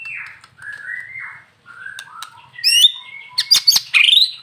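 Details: Murai batu, the white-rumped shama, in full varied song used to stir other birds into singing; smooth drawn-out whistles falling and rising, then a quick run of sharp high notes and twisting phrases.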